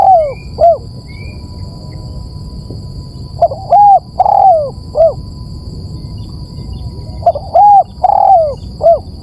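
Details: Lure recording of a spotted dove giving repeated low, hollow coo phrases, each of short rounded notes building to a long sliding coo, with pauses between groups and a faint constant hum behind.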